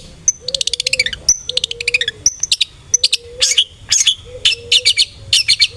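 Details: Long-tailed shrike (cendet) song used as a lure to make other cendet sing aggressively: fast rattling trills of high ticking notes alternate with brief sharp whistles and lower drawn-out tones in a restless, varied stream.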